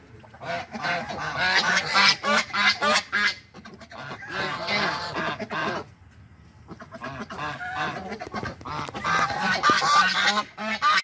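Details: Angry white domestic geese protecting their territory, recorded up close: harsh, raspy honks in rapid bursts alternate with long, noisy breathy hissing stretches, loud and aggressive, with short silent gaps between outbursts.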